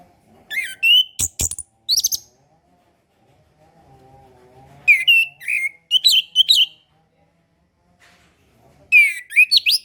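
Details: Orange-headed thrush song to stimulate young birds learning to sing: bursts of loud varied whistles, chirps and sliding notes in three groups, with a sharp click early on and a soft low hum between phrases.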